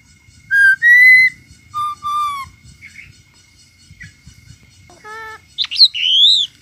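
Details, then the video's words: Myna singing: clear pure whistles, some rising and some held flat, a pair of low level notes, then harsh nasal squeaks and a bright rising whistle, with a steady faint electronic tone throughout. "chim sáo hót"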